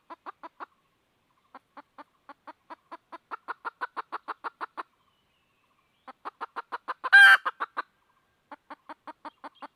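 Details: Red junglefowl hen calling while seeking a rooster: rapid series of short, even clucks, about five per second, in runs with gaps, interrupted near the middle by one loud, harsh squawk.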